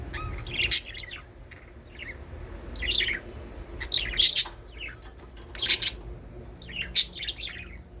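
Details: Budgies chirping to encourage pairing and breeding: groups of bright, sharp high chirps roughly every second or so, interspersed with softer twittering notes, and a faint low hum behind.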